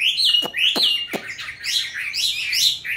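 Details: Chinese hwamei in captivity, raised from a young bird to its fifth year. It gives whistled, slurred song phrases with a brief steady note near the start, while three sharp clicking taps sound early on.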